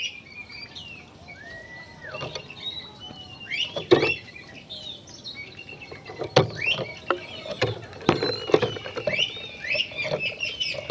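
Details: Oriental magpie-robin singing vigorously, a recording meant to rouse other magpie-robins to aggression: scattered high whistled notes and short sliding phrases, interrupted by frequent sharp clicks and knocks and a low background rumble.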